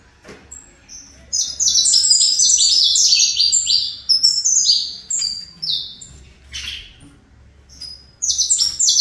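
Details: Saffron finch kept by a breeder, performing fibra-style song: bursts of quick, high, sliding chirped notes packed into fast strings, about three per second, separated by short silent gaps, the bird alone.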